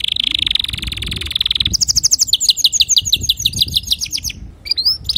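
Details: Teaching song of a male canary: a sustained rapid trill, switching to higher staccato rattles and rhythmic repeated chirps, closing with a couple of quick upward slurs; faint low background rumble.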